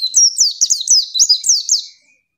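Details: High, lively female pleci chirping, used to prompt a lazy male to sing: about eight quick falling-and-rising notes in two seconds, then silence.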